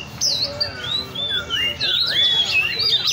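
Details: Oriental magpie-robin kept caged at a bird cafe in Le Thi Rieng park, giving clear sliding whistles and rising and falling phrases, with background murmur from people.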